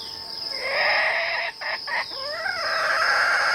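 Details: Red junglefowl drawn in during decoy hunting, crowing loudly and harshly: a rising start, a long raspy middle broken by two brief gaps, then a falling trailing end, all over a constant shrill insect drone.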